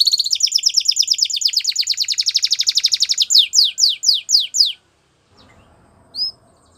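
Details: Singing Belgian canary: a fast, even series of high chirping notes lasting about three seconds, followed by slower, loud downward-sliding whistles; then quiet with faint low noise and one short high note.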